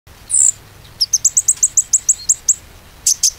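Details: Konin song used as a lure to make a silent konin sing again: one shrill high note, then a quick run of about ten sharp high chirps, evenly spaced, ending in two brighter notes.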